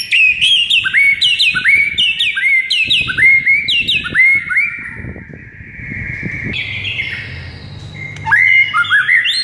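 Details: White-rumped shama, a bird said to go from silent to excited on hearing morning tutor recordings: rapid bursts of sharp rising whistles repeated many times, then softer warbling, ending with renewed bright phrases over faint low rumble.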